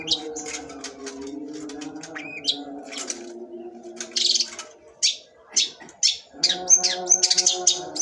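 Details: Long-tailed shrike singing in sembur style: scattered scratchy notes and a rising whistle, building to loud harsh bursts and quick chattering notes near the end, with low droning tones beneath.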